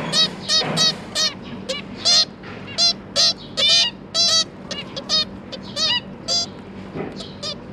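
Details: Zebra finches, a pair with three juvenile babies, busy feeding the young; loud nasal honking calls repeat in separate bursts roughly every half second, with stacked harmonics and a steady low hum beneath.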